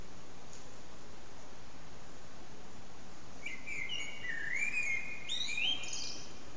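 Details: Blackbird sitting on a rooftop antenna in a three-hour singing session with short pauses; after quiet background, a mellow descending fluty phrase starts, then breaks into a rapid, high, squeaky twittered ending.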